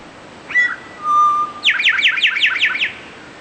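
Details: Eastern towhee singing a clear phrase. It begins with a short whistled note, then a long steady lower whistle, then a fast buzzy trill of about seven descending slurred notes. The background is quiet.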